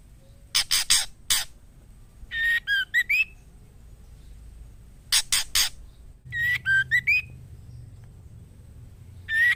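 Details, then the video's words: Female white-rumped shama calling the male to mate: short phrases of five clear whistled notes, dipping then rising, alternate with bursts of four harsh rasping notes, the pattern repeating twice. "Suara Siulan Murai Betina Gacor Memanggil Jantan"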